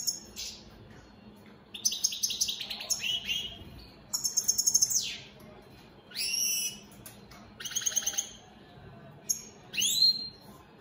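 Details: Mutation European goldfinch, opal split Satane, in song: bright liquid twitters and buzzy trills alternate with swooping whistled notes, phrases lasting about a second, separated by short gaps.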